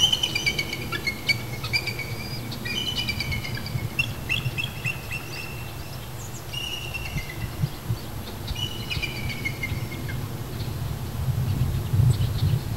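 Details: Bald eagles at their nest in Sidney, BC, Canada, 23 June 2009, with three eaglets nearly ready to fledge: parents calling to each other in high, thin piping notes, quick chittering bursts every second or two, over a low rumble of wind.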